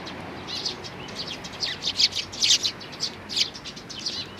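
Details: Eurasian tree sparrows, parents with their chicks on 11 May 2019, calling in a lively run of high chirps that grow louder and denser midway, some notes doubled.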